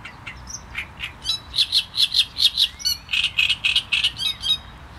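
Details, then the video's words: Great reed warbler song: rough, croaking notes repeated rhythmically about four per second, shifting midway to a higher, more strident run of rasping syllables, loud against a quiet background. "Trzciniak i jego śpiew"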